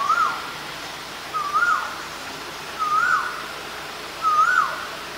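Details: Asian koel calling: four rising, slightly wavering whistled notes, each about half a second long, repeated roughly every 1.4 seconds, over a faint steady background hum.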